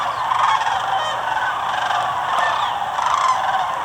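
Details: Sandhill cranes, a couple hundred streaming overhead at Muscatatuck National Wildlife Refuge, southern Indiana, on January 24, give a dense, continuous chorus of loud rolling, trumpeting calls, many voices overlapping with no pause.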